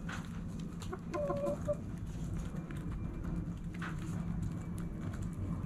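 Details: A backyard hen at morning sunrise gives a brief cluster of clucks ending in a short tonal note, then quiet over a steady low rumble.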